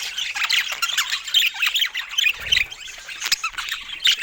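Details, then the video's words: Budgies warble while eating fruit: quick, varied, high chirps and squeaky twitters in bursts, some short rising and falling notes, with one soft low knock midway. "Cute Budgies Making Sweet Sounds While Eating Fruits"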